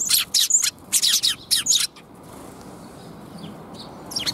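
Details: Sparrows arriving to be fed, 13 February 2021: a quick run of loud, harsh chirps in close groups over the first two seconds, then quieter, with one more chirp at the end.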